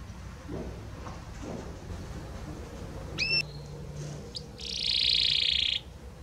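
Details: Faint, distant-sounding Belgian canary song: a single brief two-tone whistle, then after a pause a high, dense buzzing trill held for about a second, over soft background hiss.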